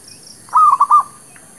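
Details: Zebra dove trapping lure: one short stuttering coo of a drawn note followed by two quick pulses, faint bird chirp afterwards.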